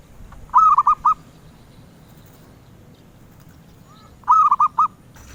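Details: Zebra dove sought by collectors, cooing two phrases about four seconds apart, each a rolling, stuttered trill of three or four soft notes, with quiet low rumble between.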